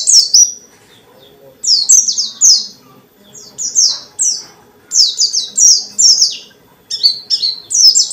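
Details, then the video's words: White-eye kept as a songbird, singing vigorously to stir rival white-eyes into singing; short runs of sharp, downslurred high chirps in quick clusters, separated by brief pauses, with a faint low hum beneath. "Burung pleci dakun gacor banget,ngalas rapet nyambung isian banyak"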